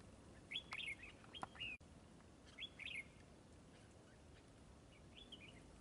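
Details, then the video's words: Red-whiskered bulbul caught up in trapping, in a fighting display, repeating a loud, liquid whistled phrase with a sharp up-and-down shape, twice close together, then once more softly, with clicks and a sudden thump. "Bẫy chào mào ĐẤU XOÈ MAU MỎ HỌNG BÒ SIÊU TO KHỔNG LỒ"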